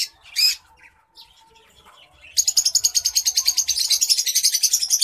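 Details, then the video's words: White-headed munia singing during courtship: a few scattered high chirps, then a rapid, steady train of very high, thin pulsed notes running for over two seconds, about two per second, with a faint low hum beneath. "white headed munia courtship and song"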